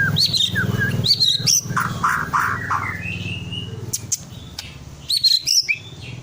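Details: Caged white-rumped shama, a 12-month-old ring-bred bird just past its speckled juvenile stage, singing to stimulate other birds to sing; bright whistled phrases near the top of the range broken by lower buzzy notes, over a steady low hum.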